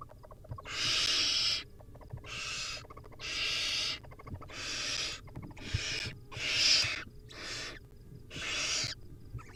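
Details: Wild barn owl nestlings at feeding time on a nest camera, giving harsh hissing, snoring begging calls in broad noisy bursts of about a second, repeated eight times with short gaps.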